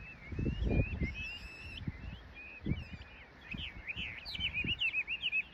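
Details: Springtime birdsong on 2 April 2022 at a riverside cherry-tree embankment park, left bank of the Nishi-Kinugawa, after the blossoms opened. High twittering warble with quick rising and falling slurs, turning into a rapid chattering run near the end, with dull low thumps beneath.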